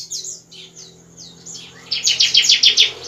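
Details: Bar-winged prinia singing at night, a recording meant as a lure to bring young birds into full song: a run of high downslurred notes, then a fast loud burst of sharp chips near the end, over faint background hum.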